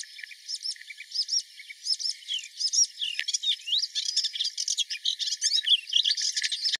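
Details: A melodious warbler (Hippolais polyglotta) sings at Mila on 4 May 2021: a fast, babbling stream of high chirps and twittering notes that grows busier and more hurried, with no pauses.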